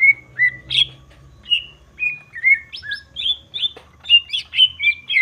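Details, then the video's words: Greater green leafbird song meant to stir rivals: separate clear whistles, some flat, some sliding, mixed with short sharp chirps, spaced about every half second, faint low hum behind. "Pancingan emosi cucak ijo dijamin emosi"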